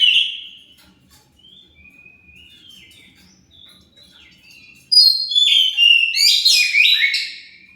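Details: Oriental magpie-robin song intended to provoke an answer: quiet, thin whistled glides for several seconds, then an abrupt loud, rich sequence of sweeping whistles and rapid chattering trills.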